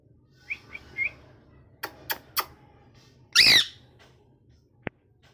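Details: A molting pet parrot indoors in a small room gives a few soft chirps and sharp clicks, then one loud, harsh squawk lasting about a quarter second, followed by quiet and a single click.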